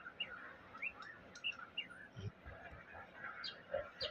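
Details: Wild White-rumped Shama in Taiwan sings actively about 3 meters away with sharp, upward-flicking chirped notes repeated every half second, followed by mixed warbled phrases; a man speaks briefly in the middle.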